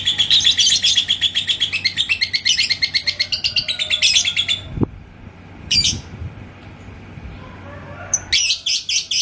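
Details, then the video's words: Yellow labet lovebird in Indonesia, provoked by a rival's song: about four seconds of quick, high chattering ngekek, then scattered harsh chirps and a short fresh burst of rapid notes. "si LABET KONENG Burung GACOR ke Pancing NGEKEK"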